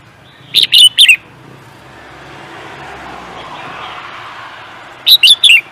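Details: Bird kept for song competitions giving a rapid trio of shrill chirps, a pause of about four seconds with distant traffic hum, then another matching trio.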